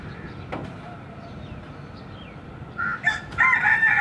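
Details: Neighbourhood rooster perched on a roof, crowing after a morning rain: a long quiet stretch with soft background noise, then a harsh, strained crow that breaks in near the end and rises into a loud ringing note.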